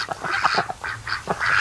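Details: Ducks resting in the afternoon sun at a lake near the mouth of a creek; a flock gives a quick series of short, nasal quacks, some overlapping, with a louder burst near the end.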